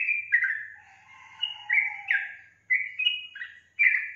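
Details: Sooty-headed bulbul (trucukan) gacor song: short bursts of liquid, slurred whistles separated by brief pauses, with a softer lower whistle drawn out beneath the first phrase.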